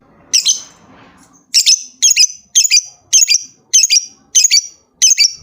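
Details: Lovebird calling a rival with paired, harsh high squawks repeated roughly every half second in a steady, scratchy rhythm.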